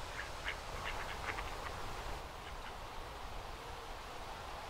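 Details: Common moorhen with its two juveniles on a pond near the former DLI Museum, Durham, on 29 June, giving a quick run of short, clucking calls over the first two seconds, then fainter notes, over a steady low rumble.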